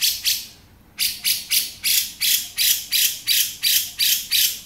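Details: Male grey-cheeked bulbul, 'beset' style, opens after a short silence into evenly spaced raspy, hissing notes, roughly three each second.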